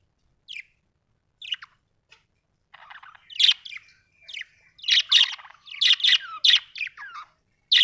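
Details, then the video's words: Budgerigars chirping: scattered short chirps building into dense bursts of scratchy, warbling chatter and squawky notes, several overlapping at times. "budgie chirping sound"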